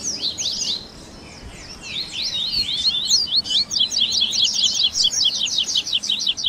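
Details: Double-collared seedeater 'baderna' mixing tui tui, grego, viviti, flauteado and 3ª nota styles for training captive birds: scattered sharp high notes, a pause, then a rapid, steady stream of shrill repeated chirps.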